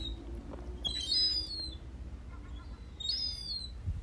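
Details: Herring gull chick, one of two young trying their wings, approaching on garden decking on the Isle of Man, gives two thin, high, slightly falling whistles about two seconds apart over a low rumble, possibly at feeding time.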